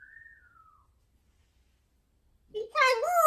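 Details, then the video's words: A talking pet female parrot at home gives a soft, gently falling whistle, a silent gap, then a loud, wavering speech-like phrase. "Parrots Talking Funny Videos"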